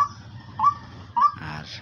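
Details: Two brief rising notes from a female decoy fowl kept for hunting, spaced about half a second apart, over a low background hum, followed by a burst of noise at the end.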